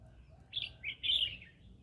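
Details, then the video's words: Green-cheeked conure in the middle of a rice field, giving three quick, squeaky, slurred chirps in close succession, the last longest and loudest, over faint low background noise. "Green cheek conure singing"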